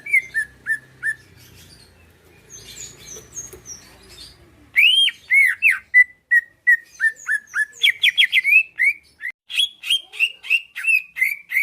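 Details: Caged greater green leafbird singing to provoke a reply and fighting: a few downslurred whistles, soft background noise, then a loud, fast sequence of looping and chirping whistles.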